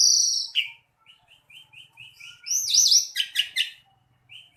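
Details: Asian pied starling (jalak suren) singing gacor, in full voice: a high buzzy opening, then a run of short, evenly spaced chirps and a burst of harsh, wavering whistles before the chirps resume.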